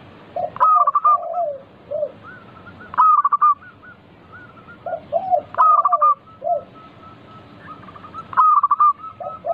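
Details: Local zebra dove singing often, meant to set other doves singing: staccato coo bursts repeat about every two and a half seconds. Each burst is followed by lower rolling notes and softer trailing coos.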